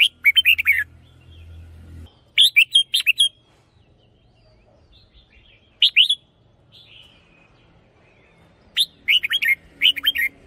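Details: Caged red-whiskered bulbul, a decoy singer of the hunting style, delivering short bursts of bright warbled, slurred notes in four groups about two to three seconds apart, with a low hum at the start and soft quieter notes between.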